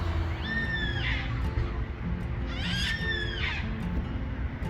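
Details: Wild Yellow-tailed Black Cockatoos in the backyard next door, migrating through at this time of year; two drawn-out, wailing calls with an arched upper tone, about two seconds apart, over low rumble and steady tonal background.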